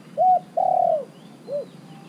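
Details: Decoy spotted dove kept caged for three months, calling to lure wild doves: a short coo, then a long sustained mellow coo, then a brief softer closing coo, clear against quiet background.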